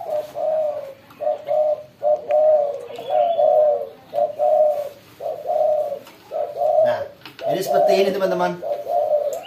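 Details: A captive spotted dove, kept as a lure bird and given cooing "therapy" with another strong-tempered lure dove to make it tame and vocal, gives repeated soft, low coos in short phrases about one per second, and a man talks briefly near the end.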